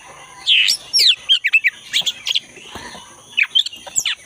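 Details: Black-breasted Oriental magpie-robin singing vigorously in forest: loud upswept whistles and rapid chattering chirps in uneven bursts, with a soft rushing sound midway and a constant high hiss.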